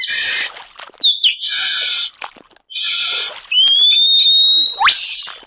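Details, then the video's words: Superb lyrebird in varied song: harsh, grating, chattering phrases alternate with a long, thin, steady whistle that rises slightly. A sharp upward-swept note closes the sequence. "Lyrebird Song"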